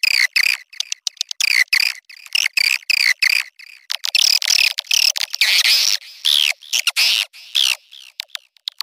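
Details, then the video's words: Swiftlet mating call: rapid runs of buzzy, twittering chirps in short bursts separated by brief gaps, with a steady double-banded tone repeated throughout. "Suara Walet Kawin"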